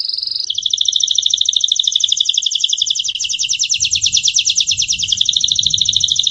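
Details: Gloster canary, a domestic canary recorded in 2018, opening with a brief steady note, then a fast, rhythmic double-toned trill that runs continuously, with faint low rumbling underneath.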